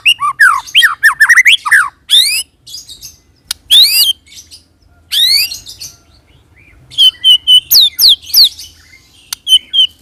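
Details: Song of a white-rumped shama played as a lure to draw song from other shamas, rich and varied: quick looping whistles, buzzy rasping phrases, then a string of short high clipped notes repeated several times a second.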